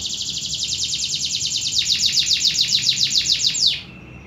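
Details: Indonesian local canary delivering a rapid, rhythmic trill of bright high notes, the phrase changing to sharper, more spaced pulses midway before stopping abruptly, leaving a quiet background.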